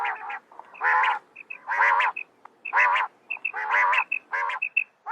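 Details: Female common quail calling with rough, buzzy bursts about once a second, with short soft high notes in the gaps.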